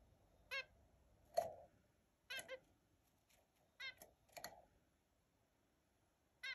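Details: Australian zebra finch repeating loud, nasal, trumpet-like single calls at irregular intervals, roughly six over six seconds, one paired with a fuller blurred note, against a quiet background.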